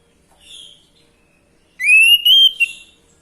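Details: Orange-headed thrush song meant to trigger male singing: a soft note, a pause, then a loud sustained whistle rising gently, broken into three pieces.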